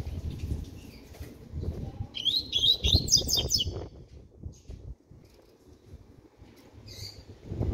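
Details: Double-collared seedeater at six months of age, starting to sing, delivers a single high, jerky warbled phrase lasting under two seconds over a steady low background rumble.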